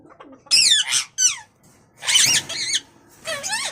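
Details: Pet Indian ringneck parrot, an imported bird kept indoors, giving three bursts of harsh, squeaky, rapidly wavering screeches, each cluster about half a second long with short gaps between.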